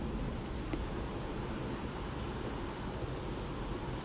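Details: Steady outdoor wind and rustling noise with a low rumble, a couple of faint brief clicks, and no animal voice.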